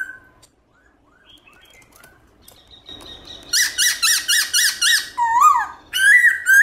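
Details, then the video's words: Morning song of a Black-throated laughingthrush in the forest style with changing voices. Soft, scattered notes give way to a rapid series of bright, clipped whistles, then a falling slur and a rich warbled phrase. "Khướu Bạc Má Hót Giọng Rừng ĐẢO GIỌNG Buổi Sáng Cực Hay"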